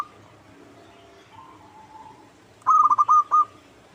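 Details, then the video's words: Zebra dove of local stock, a lure recording meant to draw an answer from a rival bird; after faint soft cooing, one clear rapid run of five or six hooked, rolling notes arrives near the end. "Pancingan PERKUTUT LOKAL Agar Bunyi 100% Ampuh! bikin lawan nyaut."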